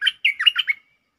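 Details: Short burst of streak-eared bulbul lure song, 'Chao Bank' type with doubles: four or five slurred, gurgling whistles run together, ending in a thin trailing note.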